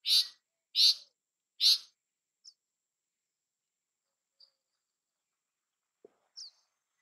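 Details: Bay-backed shrike from South Asia delivering three loud, harsh, evenly spaced rasping notes in quick succession, followed by near silence broken only by faint thin ticks and a high squeak.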